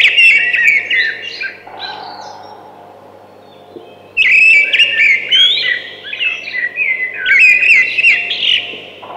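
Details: Song of a thrush, delivered in varied bursts of clear whistles and rapid chirping trills, a quiet gap of about two seconds midway, then a longer rich phrase of slurred, warbling notes over faint low hum.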